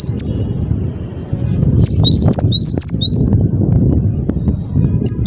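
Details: Scattered high, rising whistled notes of a cinereous tit (gelatik batu) over constant low rumbling noise, with a brief cluster in the middle.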